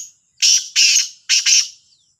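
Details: Morning call of a black francolin, recorded 18 September 2022: three loud, scratchy, buzzy notes in quick succession, the third broken into a double note, ringing clearly over a quiet background.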